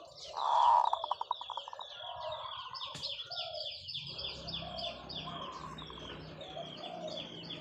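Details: Zebra dove decoy bird giving a long-drawn song: a loud rolling coo that breaks into a quick series of staccato pulses, fading over about a second, followed by a busy background of high chirping from other birds.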